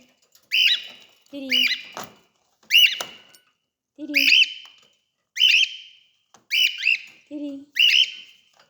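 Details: Cockatiels being fed give loud, rising whistled calls with a harsh edge, repeated about once a second.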